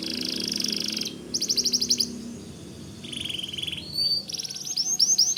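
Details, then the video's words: Singing white canary, whose song is meant for teaching white-rumped shamas: high buzzy trills broken by brief pauses, a lower rattling roll, then sharp upslurred notes repeated quickly. "Suara Kicau Kenari Putih Gacor Dor"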